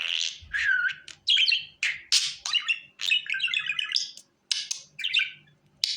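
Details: Budgerigar calling for hand training: a steady stream of warbling chatter, rapid buzzy trills and curved whistles, with few pauses.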